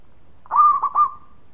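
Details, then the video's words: Local zebra dove with a loud voice gives a short, soft cooing phrase of three quick, mellow notes, the first held longest, over a quiet background. "Raja Suara Keras Perkutut Lokal Gacor Sekali Bunyi"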